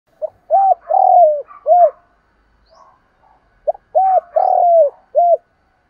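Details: Spotted dove giving its morning call, a recording used as a lure to draw males. Two phrases are heard, each a short note, then rounded coos with one longer drawn-out descending coo. A faint soft burble fills the gap between them.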